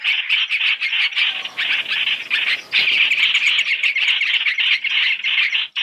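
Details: Three-in-one lure of Chinese hwamei for bird trapping: continuous raspy squawking chatter, fast and irregular, with one short break and a sudden drop at the end.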